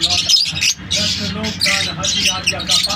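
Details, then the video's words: Several lovebirds chatter in shrill, harsh squawking chirps, calling almost nonstop in rapid overlapping bursts, with a low hum underneath. "Lovebirds chirping sound"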